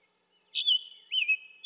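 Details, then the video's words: Scarlet tanager giving two hoarse, burry slurred notes about half a second apart, high and slightly dropping, over a faint insect hum. "Scarlet Tanager - Bird Sounds"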